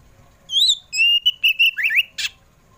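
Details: Afternoon song of an Oriental magpie-robin (kacer poci), played to draw pet birds into singing: bright high whistle, level sustained tones, twisting rising slurs, then a short rasping note.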